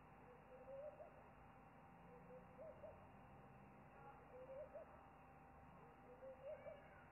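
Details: Pearl-spotted owlet at a potted-plant nest site, possibly calling plaintively, gives soft rising whistles in short pairs or triplets, repeated about every two seconds over a steady background hiss.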